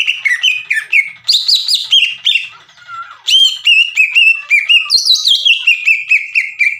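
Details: Greater green leafbird in a training recording meant to provoke other leafbirds into singing: varied whistled notes, slurred up and down, in quick phrases with short chattering bursts, loud and continuous throughout.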